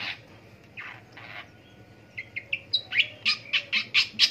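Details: A Long-tailed shrike in the morning gives a few broad rasping notes, then after a pause a quickening series of about ten sharp, harsh chack notes.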